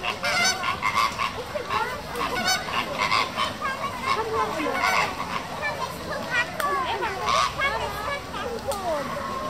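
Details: Flamingo flock kept in Tierpark Hagenbeck, Hamburg, giving a dense chorus of overlapping nasal honks and gabbling calls, many birds calling at once with short bursts every second or so, distant people talking underneath.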